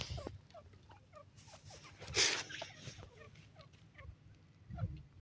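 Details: On its first day in the jungle, a male grey francolin announces its presence with quick, thin, rising notes repeated in a loose sequence. A loud hissing noise burst interrupts partway through, with low rumble underneath.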